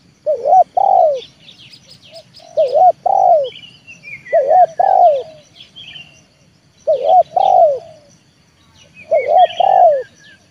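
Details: Trained spotted dove lure bird calling to bring wild doves down to the yard: low, mellow cooing phrases of several notes, repeated about every two seconds, with thin high chirps of other small birds in the background.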